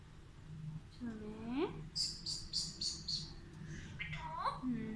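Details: Alexandrine parakeet talking in Urdu or Hindi indoors, a rising voice-like phrase, then a run of five quick high squeaky notes, then another rising harmonic word ending low.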